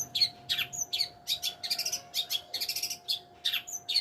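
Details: Long-tailed shrike singing a fast run of high, sharp chirps and buzzy trilled notes, nearly continuous, over a steady low electrical hum.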